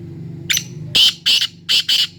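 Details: Black francolin (kala teetar) calling: a short, faint scratchy note, then four loud, harsh, grating bursts in quick succession. A steady low hum runs underneath.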